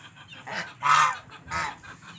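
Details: Two big geese fighting, giving harsh, nasal honks: three broad bursts, with the loudest in the middle, spaced about half a second apart.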